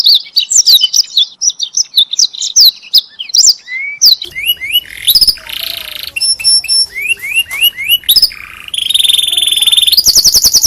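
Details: Canary tutor song for other canaries: varied sharp chirps and upward-slurred whistles, a buzzy lower passage with short repeated notes, ending in a fast high rolling trill.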